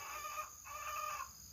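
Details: On a morning with rain likely, a hen laying eggs gives two drawn-out, nasal, slightly wavering calls, each about half a second long, with a short pause between them over faint background hiss.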